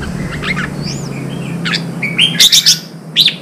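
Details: ['Red-whiskered bulbul, a newly caught bird, being stimulated to sing and trained for singing contests: after a low steady hum, short whistled phrases, then bright bubbly rising-and-falling notes in a quick cluster near the end.']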